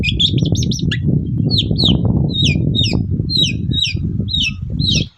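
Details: Long-tailed shrike in full morning song, a lure to provoke other shrikes to reply: quick chatter, then a string of clear down-slurred whistles repeated roughly every half second over a low hum.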